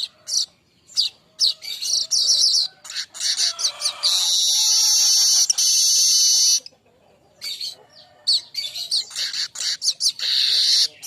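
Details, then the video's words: Young baya weaver, training song for songbirds: rapid high chattering notes leading into a long, sustained, rasping, wheezy buzz, then more clipped, scratchy bursts. "ocehan pedas burung Manyar||terapi awalan manyar kembang muda"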